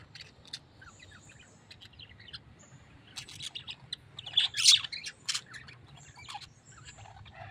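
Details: Tame pet parrot giving one sharp, grating squawk midway, flanked by scattered softer chirps and clicks.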